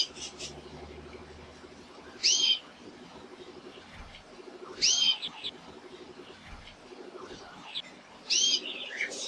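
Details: A male canary gives short, bright, sweeping whistled phrases about every three seconds over a steady low background hum.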